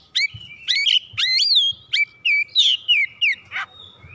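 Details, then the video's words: Excited oriental magpie-robin unloading its song repertoire, a string of loud fluty whistles, upslurs and downslurs separated by brief gaps, roughly three phrases per second, ending with a harsher buzzy note. "KACER GACOR MEMANAS NAIK EMOSI BONGKAR ISIAN"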